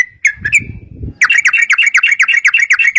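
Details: Yellow-vented bulbul giving a few slurred notes over low rustling, then a fast, even rattle of repeated notes, about four per second.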